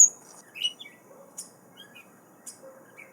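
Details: Gray Catbird singing in a yard where it breeds: a loose jumble of varied short, squeaky, high chirps and slurred notes with brief pauses, over faint low background hiss.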